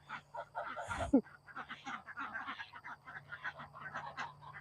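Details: Domestic ducks and geese, shut in their cage overnight and waiting to be let out in the morning, keep up a steady clamor of nasal honks and quacks, with one louder honk standing out near the start. A low hum runs underneath.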